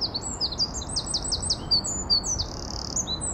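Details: Eurasian wren (Troglodytes troglodytes) song, a fast energetic stream of shrill, sharply slurred notes and brief buzzy trills delivered without pause, with faint low background noise.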